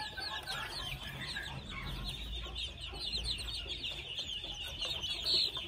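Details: Continuous high twittering peeps from a group of two-month-old red junglefowl chicks, with low background hum.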